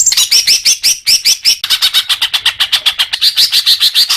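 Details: Greater green leafbird song, used to encourage caged birds to sing: a fast run of high, sweeping, slurred notes, starting with downward-curving phrases and then a quicker steady chatter.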